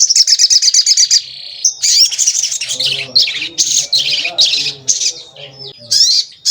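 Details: Javan kingfisher on a lure track meant to make birds call and grow agitated: a quick string of piercing repeated notes, then uneven harsh chattering bursts with a low murmur beneath.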